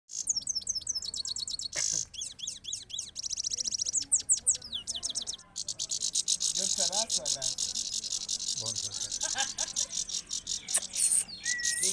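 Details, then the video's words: Goldfinch song recorded in Parachinar, set against a goldfinch of Kabul: rapid, high twittering, with sharp sweeping and buzzy trilled notes strung together almost without pause, then a long dense stretch of chattering phrases. "Gold finch Vs gold finch of Kabul in parachinar"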